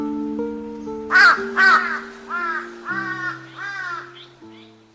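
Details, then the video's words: A crow gives about six harsh, hoarse caws at roughly half-second intervals, the first two loudest and later ones fading, over steady background music. "Слухай, як ворона «капає» у вухо своїми хриплими «кар-кар»"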